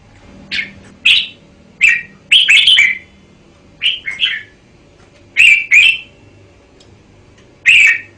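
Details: Red-whiskered bulbul, Thailand, song in the 'bao' style taken from a VCD: sharp chirping notes and quick doubled warbles spaced irregularly across eight seconds, loud and close with a quiet background.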